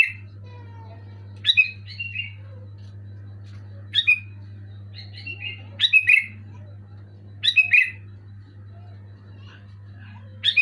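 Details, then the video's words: Sooty-headed bulbul singing loudly and clearly, played to get a moulting bulbul that has stopped singing to sing again: short bubbly whistled phrases about every two seconds over a steady low electrical hum. "Suara burung kutilang gacor keras jelas bikin kutilang omyokan macet malas bunyi auto bunyi gacor"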